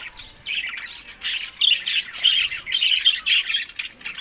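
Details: Budgerigars over summer food, May to June, tagged Larkana, Sindh; quiet opening warbles build into a lively string of scratchy, rapidly repeated chirps.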